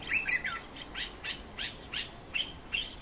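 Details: A bulbul's evening song: a run of short, bright chirping notes, about three each second, some with a quick slurred fall, over a faint steady hiss.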